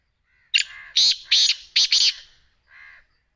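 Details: Black francolin, known locally as Sindhi teetar or kala teetar, giving a harsh, grating call: five loud rasping syllables in quick succession, the last two nearly joined, then one softer, lower burst after a short pause. No other sounds.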